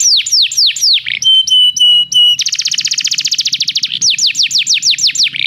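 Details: {'caption': 'Canary song played to prompt a canary to sing: rapid series of downward-sweeping whistles, a steady trilled tone with high overtones, a fast buzzy rattle, then more descending sweeps at about three per second.'}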